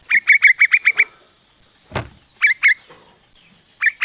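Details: Calling female yellow-vented bulbul, aimed at a male, with a fast string of seven sharp chattering notes, a dull thump, then scattered pairs of notes.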